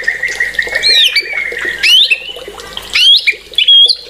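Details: White-rumped shama song: a sustained steady whistle followed by loud, sharply rising and falling whistled notes in short separate bursts, each phrase clear and ringing.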